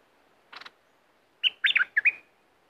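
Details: Bulbul from southern Thailand, played to excite birds for decoy trapping: a short buzzy burst, a pause, then a quick phrase of bright, bubbly whistled notes that rise and fall, ending in a thin held whistle.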